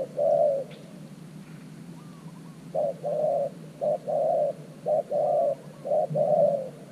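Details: Spotted dove kept as a fresh decoy at an earthen trap for luring wild doves. A single long coo opens, then a run of short-long coo pairs follows, mellow and low-pitched.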